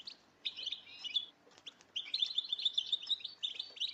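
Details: Female European goldfinches calling together to stimulate singing in males, giving fast, continuous high twittering in two long runs separated by a short, quieter gap.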